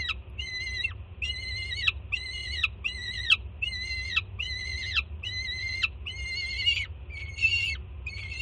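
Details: Nestling peregrine falcon at a Jersey City nest cam screams loudly on seeing its mother bring breakfast, June 24, 2017; a fast run of about ten harsh, harmonic screams with downturned ends, one more ragged near the close, over steady hum.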